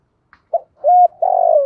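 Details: Spotted dove calling to challenge wild doves: a clipped opening note, a level hoot, then a long vibrating coo sliding slightly downward.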